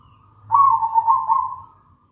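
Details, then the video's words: Zebra dove of a local strain in full song, played as a lure for other doves: a single rapid, purring, bubbling coo about one second long, steady in pitch and trailing off softly. "PANCINGAN PALING AMPUH PERKUTUT LOKAL GACOR"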